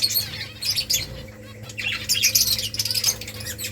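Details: Nest-building finch colony with many birds twittering at once: sharp high chirps, short squeaky notes and quick trills crowding each other over a faint low hum.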